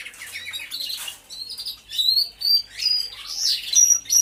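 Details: Caged canaries in an aviary singing, recorded on a hidden camera: scattered high whistles, short trills and squeaky notes come in separate bursts with brief lulls between them, a faint low hum underneath.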